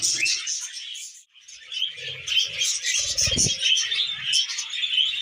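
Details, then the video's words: Contented budgies chattering: a fast run of high chirps, a short pause after one second, then steady warbling with rapid tweets and a low thump partway through. "Happy Budgie Sounds"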